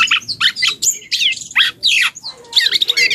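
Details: A juvenile black-and-yellow oriole learning to sing delivers short separate bursts of harsh, squeaky chatter with thin high slurred notes, about five phrases broken by brief pauses, against a quiet background.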